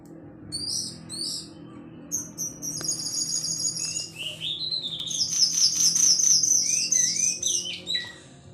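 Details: Sunda laughingthrush, called cingcoang, singing vigorously: high whistled phrases and rapid repeated notes, some long steady tones and quick rising slurs, with a low steady hum underneath.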